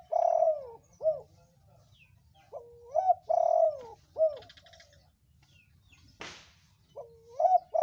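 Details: Red-coloured spotted dove, a vigorously calling bird used as a lure to draw other doves into calling; mellow low coos in rising-then-falling phrases, three bouts separated by pauses, with one sharp click midway.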